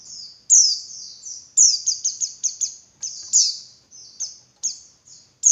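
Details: Female white-eye call meant to stir males to sing more intensely: a steady series of high, downward-slurred chirps, some tightly grouped in fast runs of three or four, others spaced about half a second apart.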